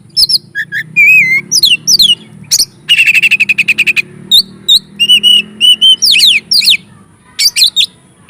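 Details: Oriental magpie-robin in lively, varied song used to provoke and excite other magpie-robins: sharp high whistles, down-slurred notes, a warbled phrase and a fast rattling trill, all dense and loud over a faint low hum.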